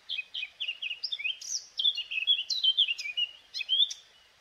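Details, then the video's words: Singing Eurasian blackcap: a rapid, varied warbling phrase of high twittering notes and clear whistled flourishes, rising and falling without pause, with faint background noise. "Співає кропив'янка чорноголова"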